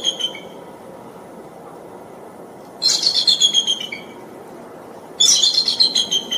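Bald eagle giving two bursts of high, thin chittering notes, each a quick stuttering series about a second long, separated by a pause, over a faint low background hum.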